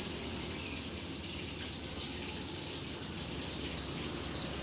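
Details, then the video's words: Old mountain white-eye of the rare dakun form endemic to Merapi, singing brief, very high, shrill doubled notes that drop sharply in pitch. The phrases are separated by pauses of one to two seconds. "pleci merapi tak kan pernah ingkar janji, tua tua gacor"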